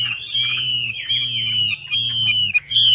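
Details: Chinese hwamei, known as wambi, singing as a lure: sustained high whistled phrases, held and gently wavering, over a rhythmic low throbbing hum.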